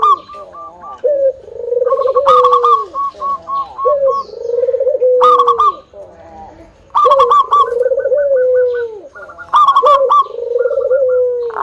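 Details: Local zebra dove singing to entice other doves to join in. Repeated phrases of low, rolling coos are topped by quick bursts of short, bright repeated notes, about four phrases with brief quiet pauses between.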